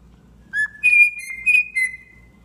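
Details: Tame cockatiel whistles a short phrase: one lower note, then three higher, clear, ringing tones in quick succession.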